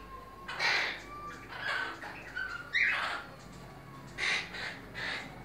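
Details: A captive Monk (Quaker) parakeet, apparently in a breeding setting, gives harsh, raspy squawks in bursts about every second, with faint thin whistles underneath.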